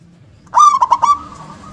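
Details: A loud, powerful local zebra dove sings with its punchy "KUNG" accent. One compact phrase of quick, pulsing coos runs straight into a steady, drawn-out tone that lingers softly afterwards.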